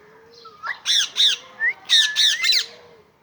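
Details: Pet parrot talking in a rapid series of six loud, harsh syllables over about two seconds, interspersed with soft whistled slurs and a low steady hum underneath.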